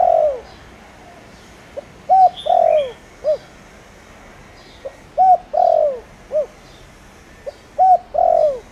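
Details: Spotted dove decoy cooing to draw wild doves into calling, in the 'thổ đồng' voice; three repeated phrases, each with a faint pip, an arched coo, a long downward coo and a short end note, spaced by quiet gaps.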